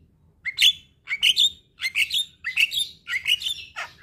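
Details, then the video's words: Javan myna giving loud, harsh chirp-squawk phrases, each of two or three notes, repeated about every half second with short gaps between. Played to stressed mynas that have stopped singing. "Terapi Burung Jalak Stres Macet Bunyi"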